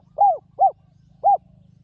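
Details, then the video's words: Wild spotted dove of the ground-decoy kind, noted for its ringing voice, giving three short, rounded, falling coos, two close together and one after a pause, above a quiet low drone. "นกเขาใหญ่ต่อดิน [เจ้าสามส้มหยุด] EP11 นกป่าคารมเสียงดี กังวานมาก"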